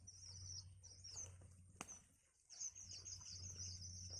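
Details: Young birds in a nest begging while their mother feeds them: thin, very high squeaky chirps run in long wavering strings, broken by a short pause and a sharp click midway, over a steady low hum.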